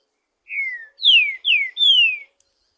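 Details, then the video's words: Song of a wild green-winged saltator in natural woodland: four pure whistled notes, the first quieter, the next three loud and strongly descending, delivered within under two seconds in a quiet setting. "TRINCA FERRO NO MATO SOLTO CANTANDO MUITO NA NATUREZA"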